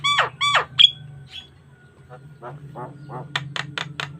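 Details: Asian pied starling singing, recorded as a lure and master track for training other starlings: two harsh rasping squawks, a short whistle, then scattered buzzy notes and a quick run of clipped chips over a steady low hum.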